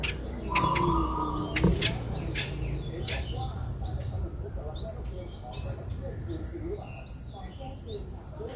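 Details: Five-day-old streak-eared bulbul nestlings in Ubon Ratchathani, Thailand, recorded 7 April 2023: thin, high, upward-sweeping chirps repeated rapidly and unevenly, about three or four a second, after a brief low hum and thump near the start.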